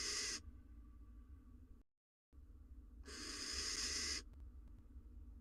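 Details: Incubating barn owl mother on her eggs in a nest camera recording, producing two breathy, airy hisses, the second longer at about a second, separated by a brief silent gap and a low hum.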